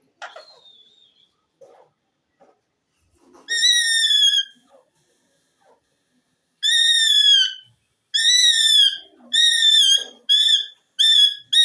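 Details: Talking ringneck parrot, green, kept as a pet. A faint whistle opens, then loud nasal calls rich in harmonics repeat in a steady series of word-like syllables, each under a second, quickening toward the end.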